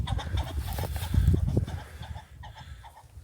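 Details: A wild Ring-necked Pheasant on Manitoulin Island, Ontario, flushing right beside the observer and squawking in flight, gives harsh, rapid clucking squawks, about four a second, over heavy low rumble and thumping, before trailing off.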